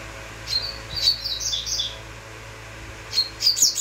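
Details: Double-collared seedeater singing high, clear whistled notes in short bursts, then a quick run of sharp upslurred chips near the end, over a faint steady low hum.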